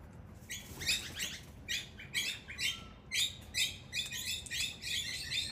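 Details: Wild Australian king parrots, males and females in a power struggle at a doorway, give harsh, squeaky chattering bursts, about ten short bouts over five seconds with brief gaps between them.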